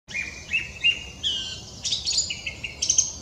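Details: Mistle thrush singing in March at Pateira de Espinhel, Portugal, where it sings at daybreak and sunset: short clear whistled notes in a steady series, then higher, brighter phrases with sharp squeaky accents. Faint low background rumble.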